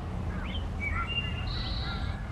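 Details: Wood thrush, a migratory bird, singing in the wilds of Georgia amid several birds: a few flute-like notes ending in a sustained high, ringing, metallic or robot-like tone, over a steady low rumble with quiet talk nearby.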